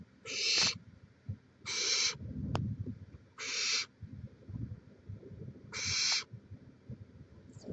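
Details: Nest-cam recording of barn owls in Chula Vista, California, 18 May 2017: four broad, raspy hiss-screeches, each under half a second, coming roughly every one and a half seconds, with soft shuffling and one sharp click between.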